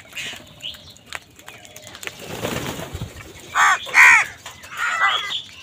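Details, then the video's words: Angry crows fighting wild birds for food: a burst of noise, then two loud, rasping caws close together and a weaker third, with small birds twittering in the background. "Wild birds fight with crows for food | Crow bird unity anger and sund | Angry kawa ki awaaz"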